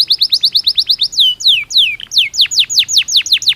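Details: Belgian canary singing naturally for daily stimulation; quick repeated downslurred notes, then a few long descending whistles, then a slower series of loud sweeping notes, bright and clear.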